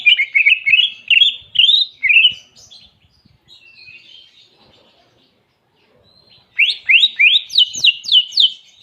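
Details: Greater green leafbird singing a canary-imitation song: quick slurred whistles rising and falling, a quiet pause, then a burst of sharp descending whistled notes repeated rapidly.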